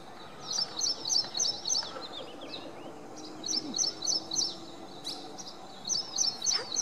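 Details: Ashy prinia singing on April 3, 2022: bursts of four quick, high, sharp notes, repeated after short pauses, over faint background chirps and light hiss.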